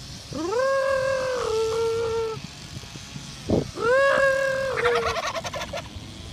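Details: A wild turkey at Berkeley marina gives two long, drawn-out whining notes that rise and then hold steady, followed by a quick, rattling burst of sound.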